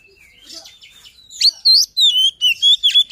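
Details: White-rumped shama luring song, quiet chatter at first, then loud clear whistled notes and rising chirps repeated quickly in a steady run.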